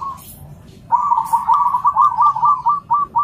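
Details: Local and crossbred zebra doves responding to each other: one loud, sustained, rapidly pulsed cooing trill at an even mid pitch that breaks into short repeated notes at the end, over a faint low hum.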